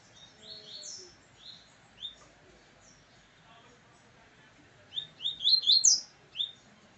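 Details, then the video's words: Double-collared seedeater in brown plumage sings face to face with another brown bird: two bursts of quick, high, slurred whistled notes, the second phrase faster and louder, over a faint background hum. "cantando de cara com outro PARDO"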